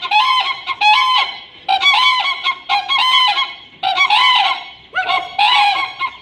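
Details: Common crane from Siberia giving loud, rolling trumpet-like calls, harsh bugling bursts about one second long repeated roughly every second, with overlapping voices and short pauses between bursts.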